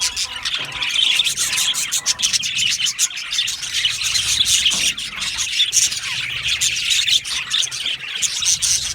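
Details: Many happy budgies in an aviary colony keep up a continuous high chatter of sharp chirps, squeaky warbles and clicking notes throughout.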